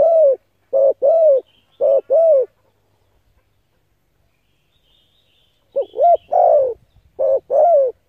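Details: Spotted dove coos, meant to stimulate decoy birds: a burst of hollow doubled coos, several seconds of silence, then a longer phrase ending in a drawn-out falling coo.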